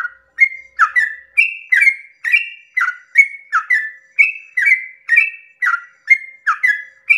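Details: Sooty-headed bulbul pouring out long 'ropel' song at dawn to rouse other bulbuls into singing: continuous series of clear two-pitch whistles, alternately high and dropping, each with a buzzy start, in a quiet background.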